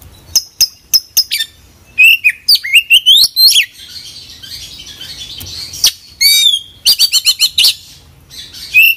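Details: Rich, varied song of a white-rumped shama packed with mixed phrases: sharp clicks and ticks, looping whistles climbing in pitch, and bursts of rapid chatter, over a faint low rumble.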